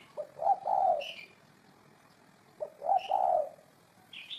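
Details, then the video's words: Spotted dove giving two low, hollow coo phrases spaced about 2.5 seconds apart, each ending in a drawn-out tone, with high chirps from a second bird after each phrase. "Tổng hợp tiếng chim cu gáy hay năm 2018"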